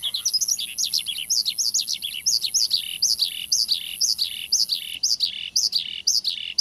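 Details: Male Javan bushlark song used as a singing prompt: short bursts of rising-and-falling high notes, grouped in quick pairs and triplets separated by brief gaps.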